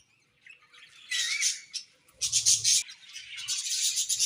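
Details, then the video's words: Budgies chirping: after a quiet start, a rising whistled note, then loud bursts of fast scratchy chatter and chirps, with faint low rumbling in places. "Beautiful Budgies Chirping Sounds"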